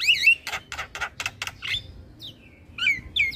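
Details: Head-bobbing Javan myna singing as tutor audio for other starlings: a wavering whistle, then five rasping broadband bursts in quick succession, followed by a few descending whistled slurs.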